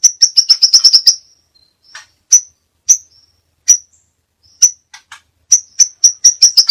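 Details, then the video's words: Crimson sunbird song with many variations: a rapid string of high, piercing ticks, then evenly spaced single sharp chips about every half second, ending in another fast ticking run. "masteran burung sepah raja banyak variasi"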